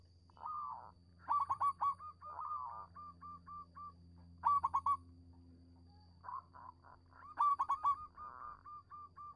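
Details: Local zebra dove song played as a lure to prompt silent doves to sing: bursts of rapid, staccato cooing notes, some rolling, repeated every two to three seconds, with a low steady hum underneath.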